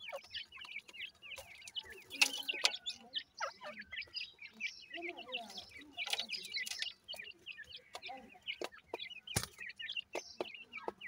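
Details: Continuous high peeping by grey francolin chicks, short chevron notes repeated rapidly and unevenly, with scattered clicks, a few lower clucks and one sharp bang.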